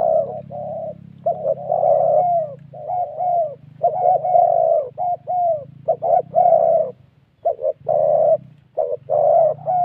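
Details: Spotted dove coo of the "thổ" style from Vietnam's wild Central Highlands, tied to ground-decoy trapping: dense runs of mellow hooting notes, short and drawn-out phrases crowding together with barely any gaps.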